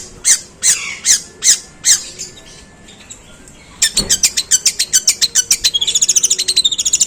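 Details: Long-tailed shrike giving long, harsh sparrow-style mimicry: five loud rasping chirps spaced about half a second apart, a short pause, then an accelerating stream of sharp high chirps that run together into a fast chatter.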